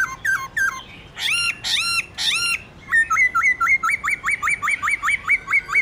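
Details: A laughingthrush sings in a wild-style song of loud, harsh squawky phrases, then a fast run of about a dozen rising, looping whistles, roughly four per second.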